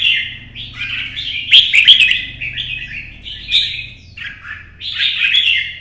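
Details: Competition song of a red-whiskered bulbul (chào mào), early-morning 'chạy cầu' solo: rapid run of bright, slurred whistled phrases, fast and uneven, with a few sharp clicks and a low background hum.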